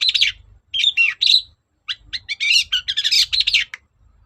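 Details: Lure song of a long-tailed shrike, loud and insistent, used to make other shrikes answer: varied chattering phrases with twisting, warbled notes, a gap, then a long rapid stream of harsh and sweet notes mixed.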